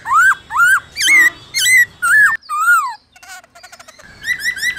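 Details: Forest-voice song of a black-throated laughingthrush, meant to get captive birds singing: a series of strong, rounded whistled notes about twice per second, rising then falling, followed by softer scratchy twitters and quick high chirps.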